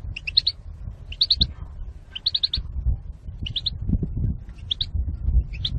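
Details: A female European goldfinch calls to prompt males into singing and mating, giving clustered high tinkling chirps in groups of two to four, spaced about a second apart, over faint low-pitched background noise.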